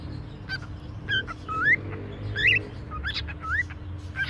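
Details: A talking pet cockatiel at a pet shop in Konya gives a run of clear, slurred whistles, several sweeping sharply upward, about one a second, over a low steady background hum.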